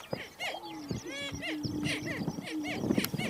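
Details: Two banded male greater prairie-chickens square off at a lek territory boundary, a female present. A long, steady low hoot stretches across the clip while wavering whoops and sharp cackling yelps burst above it.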